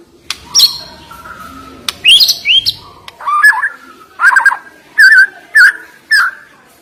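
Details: Caged white-rumped shama (murai batu) song used to provoke a reluctant singer: high upslurred whistles followed by a series of lower rolling, warbled notes repeated roughly every half second.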